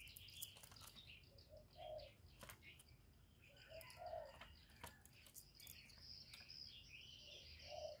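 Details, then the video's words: Decoy spotted dove cooing in a contest with a wild dove: soft, low, hollow coo phrases of two or three notes at intervals of about two seconds. Busy high chirping and twittering from many other small birds plays throughout. "Tiếng cu mồi lỡ gù đấu bổi"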